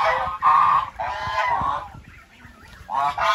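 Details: Goose giving three drawn-out, brassy honks, the middle one longest, with a quieter gap before the last strong call.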